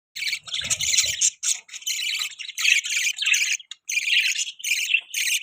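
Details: Pet budgerigars giving mating sounds: dense, harsh squawks and chattering bursts, high and buzzy, in near-continuous runs with short gaps, a brief lower thump near the start.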